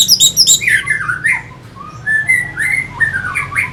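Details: Orange-headed thrush, North Bali, lure song for provoking other birds to sing: opens with repeated high sharp chirps, then slurred descending and rising whistles, a brief quiet pause, and more warbled phrases over faint low hum.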